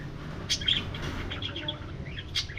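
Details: Budgies flying and interacting in an aviary give quick high chirps and short twittering notes in a brief run, with sharper accents at the start and near the end, over low background hum.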